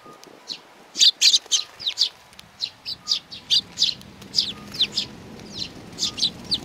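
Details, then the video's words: Young hand-tame sparrows chirping: sharp, high notes in quick doubled and tripled bursts, then a steadier run of single chirps roughly every third of a second, with a faint low rumble beneath. "可愛いすずめ達 20190628 4 （手乗り子雀）"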